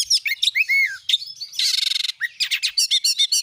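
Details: Magpie-robin singing nonstop in 'nembak' style, meant as a lure to stir other magpie-robins into song: quick sharp chirps, a clear downslurred whistle, a harsh buzzing rattle, then a string of bright repeated notes.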